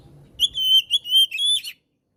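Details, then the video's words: Oriental magpie-robin (kacer) singing gacor-style, used as a master and trigger song for birds that stop singing: a loud burst of clear, high whistled notes held steady, broken by short gaps and ending in a brief rising, twittering flourish. "MASTERAN DAN PANCINGAN KACER GACOR PALING DI CARI JURI! COCOK UNTUK KACER ANDA YANG MACET BUNYI !!!"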